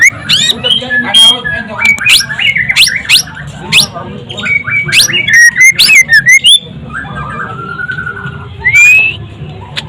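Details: White-rumped shama, described as a frequent champion, singing a varied run of loud whistled notes with sharp upward and downward sweeps, then a pause and a final rising whistle; low background chatter throughout.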